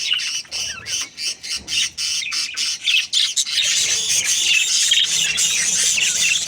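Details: Budgerigar breeding pair in a happy mood: a quick string of separate raspy squawks, almost four a second, then merging into an unbroken, high warbling chatter in the second half.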